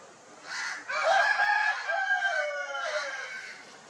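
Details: Crowing rooster on a poultry farm in India, among Italian and desi chickens, claiming territory: a brief rise, then a loud, bright, harmonic crow of about two seconds with a slight falling finish, fading out softly.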